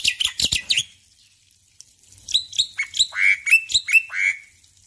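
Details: Male black-winged myna singing vigorously in the morning: a burst of harsh, scratchy notes, a pause, then a run of sharp whistled notes that slide downward, each repeated in quick succession.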